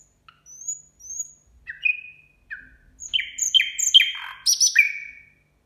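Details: Nightingale singing at New Year, phrases building from thin, high, rising whistles and separate falling slurred notes into a dense run of overlapping chirps and sharp clicks.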